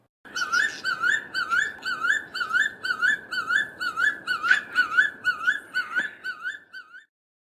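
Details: A crowned eagle, a common Eastern Cape bird in South Africa, gives a long series of loud, whistled kewee notes, each rising then dipping, about two per second, with no other sounds.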